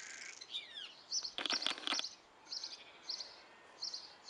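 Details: Nine Great tit nestlings in a nest box at Belford, Northumberland, give high, buzzy begging hisses in short bursts about every half second, with a brief burst of rustling and wing flutter.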